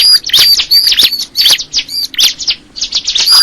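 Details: Crystal ciblek (bar-winged prinia) delivering quick, high, ringing chirps with repeated clear whistled notes and short falling slurs, several per second with short breaks.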